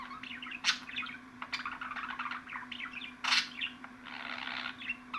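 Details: Budgie chatter for home birds: busy warbling twitter with two loud harsh squawks, then a softer hissy burst of chattering, over a steady low hum.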